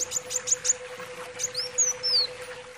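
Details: Brown-throated sunbird giving thin, very high sharp notes in a quick series, followed by a few high descending slurred whistles, over a steady low electrical hum.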